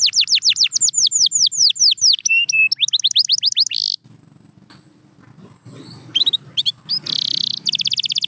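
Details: A canary sings four seconds of quick descending whistled slurs and rolls, then nearly stops amid faint background noise before short bursts of high chirps and a rapid trill return.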